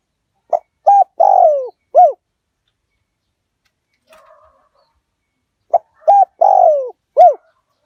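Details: Spotted dove lure cooing in the 'Liu Tan' style from an aggressive strain, meant to call wild birds in quickly. Two four-note coo phrases sit about five seconds apart, each ending with a long sliding-down note. Faint murmur between.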